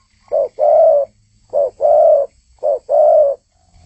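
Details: Spotted dove singing steadily: low, soft cooing in three repeated two-part phrases, each a short note followed by a longer rolling coo, about one phrase every 1.1 seconds, against a clean background.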